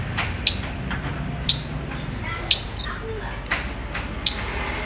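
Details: Caged lovebird, described as courting and wanting to mate, giving short sharp high chirps about once a second over a steady low background hum.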